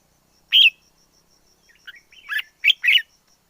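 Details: Wild red-whiskered bulbul song: one loud clear whistled note, then a soft warbled murmur building into two brisk, bubbly phrases near the end, with a quiet background.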